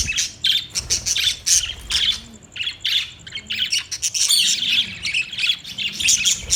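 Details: Several budgerigars chattering continuously, with squeaky whistles, harsh squawks and rapid chirps overlapping in a lively, unbroken warble.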